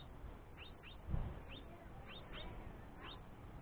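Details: Young House Finch pestering its father for food, the mother away resting. Six quick upslurred chirps come in loose pairs and singles, with a brief low thump near the start.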